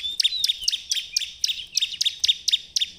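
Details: Bar-winged prinia singing, played as a lure to prompt other prinias to sing: a steady run of about eleven sharp, high metallic chips, each joined to a thin whistled tone, evenly spaced roughly four per second.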